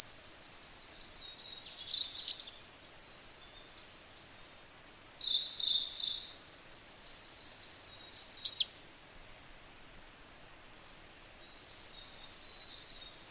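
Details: Wild goldcrest giving three very high, rhythmic songs of repeated thin double notes, each ending in a twittered flourish, separated by short pauses with softer rustling sounds between.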